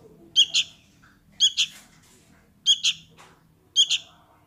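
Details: Sooty-headed bulbul chick calling its parent: sharp, high, double-noted chirps, each pair quick and harsh, repeated about once a second, with faint low background rumble.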